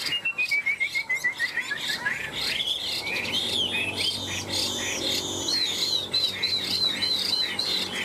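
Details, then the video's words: Caged Chinese hwamei in a singing duel, two tame birds of three years in the cage: a quick descending run of short notes, then rapid high repeated whistled phrases, several per second, sharp and bright. "Họa mi hót đấu cánh đuôi đẹp - 2 em thuần 3 năm lồng"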